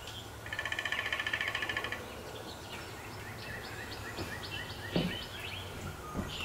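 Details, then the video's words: Male downy woodpecker drumming on a 150-year-old black walnut on terraced land in Appalachia. One fast roll of taps lasting about a second and a half, followed by scattered chirps from other birds over steady background noise. "Downy Woodpecker Drumming on Black Walnut"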